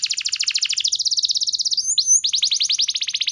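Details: Clear canary lure song meant to stir other canaries into singing: a long rapid rolling trill of short notes, a brief upward slurred pause, then another fast dense trill.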